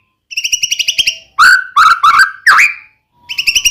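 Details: Song of the white-rumped shama, or murai batu, played as a lure to provoke another shama: rapid buzzy rattles framing three loud slurred whistles and a sharp upward note.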